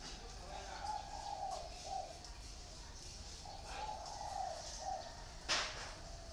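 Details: Caged spotted doves, one in a round bamboo cage and one in an iron cage, cooing: two soft phrases of three low hooting notes each, over steady background hiss, with a sharp click near the end.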